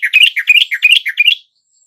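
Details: Yellow-vented bulbul singing, played to coax a reluctant caged bird into answering: bright bubbly phrases of rapid liquid notes, about five quick bursts run together, then silence.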